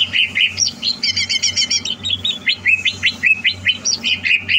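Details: Greater green leafbird being prepared as a future singing-competition champion. Dense, fast song of varied whistled and chattering notes, with a quick trilled run near the start, repeated rapidly throughout over a steady low hum.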